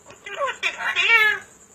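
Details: Talking parrot copying speech and answering in Punjabi: several quick word-like syllables in a row, harmonic and voice-like, the last held longer and slightly falling, over a thin continuous high-pitched hiss.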